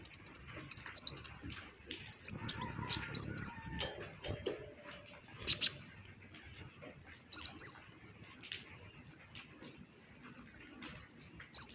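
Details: Purple-throated sunbird, brown-breasted type, in varied chirping song: scattered sharp high notes and short twittering phrases every second or two, with quiet gaps and light background rustling.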